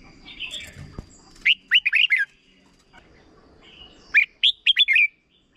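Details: Caged red-whiskered bulbul from Thailand singing a short doubled song, used to teach young birds. Two bursts of five or six quick, loud whistled notes, bubbling and rising, about three seconds apart. Faint chatter from other birds comes before them.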